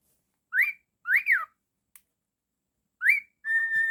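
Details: Indoor pet cockatiel sounding rising whistled notes and a double arched whistle, then a long steady level whistle at the end; a faint click mid-way.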